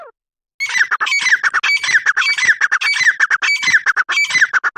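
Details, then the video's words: Grey francolin giving a loud, continuous run of harsh, scratchy squawking notes, fast and unevenly spaced, with sharp upper overtones. The calling keeps going without a pause for over four seconds. "Gora Teetar Ki Awaz"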